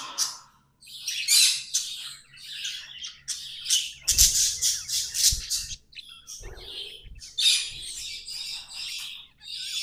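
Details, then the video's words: Pet budgerigars chattering and singing indoors: dense bursts of scratchy, buzzy warbling and squawky chirps, high and noisy, broken by short pauses, with a faint low hum beneath. "Budgies amazing love & singing 🎵 sounds"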